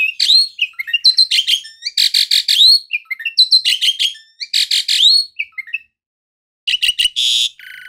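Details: Asian pied starling (jalak suren) singing loudly: harsh buzzy bursts alternating with rising whistled notes in quick irregular phrases, a pause near six seconds, then a final burst of rasping and whistled notes.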